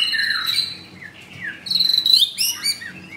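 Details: White-rumped shama, caged with a blue leg ring in Kemayoran, Jakarta. High sustained whistles and short downslurred notes are followed by a quick run of bright, rising chirps and trills, mostly very high-pitched.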